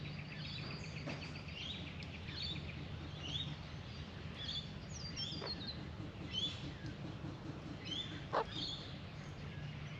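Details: A pair of Australian magpies, male and female, drinking at a birdbath and giving soft, quiet warbling notes, short twittering phrases repeated every second or two over a steady low hum.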